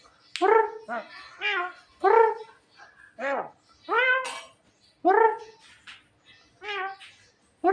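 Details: Javan myna, said to be smart and amusing, repeats throaty bark-like calls and short downward slurs at uneven intervals of about a second, with occasional sharp high clicks.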